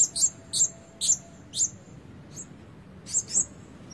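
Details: Red-breasted blue-crowned hanging parrot kept as a decoy lure bird, not yet in full voice, trying out its calls: very high, sharp squeaky notes given singly or in quick pairs, roughly every half second, over a faint low hum.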